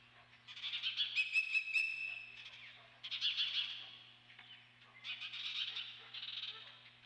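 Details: Dunrovin Ranch ospreys on 28 May 2013, with the mother bird at the nest; three long phrases of rapid, shrill chirps each rise and fade, the first topped by sharp clicking ticks, over a constant low hum.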